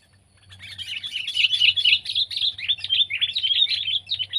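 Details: Sooty-headed bulbul (kutilang), Pycnonotus aurigaster, from Indonesia, pet or wild bird: a loud, lively stream of quick chirps and short slurred whistles, some dipping downward, rising quickly from silence and running on without pause.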